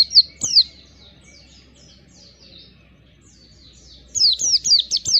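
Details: Oriental white-eye song for coaxing a bird into sustained singing: a few sharp high chirps, a faint thin warbling stretch, then a renewed burst of quick descending notes.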